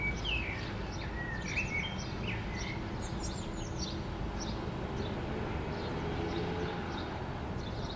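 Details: A common blackbird perched on an antenna in Helsinki, Finland, in June 2013, sings a few low, mellow fluted phrases, then thin high twitters, over a steady low background rumble.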